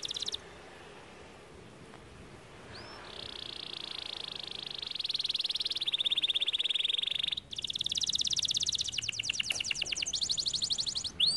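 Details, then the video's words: A canary holds a long steady buzzing tone, then rolls into fast rattling trills and sweeping notes over a faint background hiss. "The canary sings beautifully"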